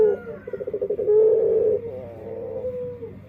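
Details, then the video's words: Dove singing in an unusual voice: quick pulsing coos at first, then a long drawn-out droning coo that fades into a softer, lower tail. "Suara Unik Burung Puter // Unique Sound Singing of dove"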